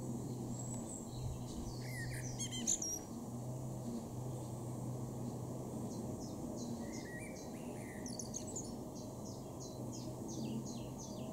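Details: In a garden in Norden, East Frisia, northwest Germany, in April 2023, a male blackbird gives two brief warbled phrases about five seconds apart, low fluty notes ending in high twittering, over a steady hum and distant rumble, with other birds chipping.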